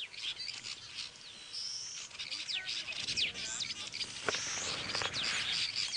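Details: Weavers on an evening safari drive in Kenya in January, summer, chattering in a busy chorus of high, buzzy, sizzling notes and quick chirps, many birds overlapping continuously; wind may be affecting the sound.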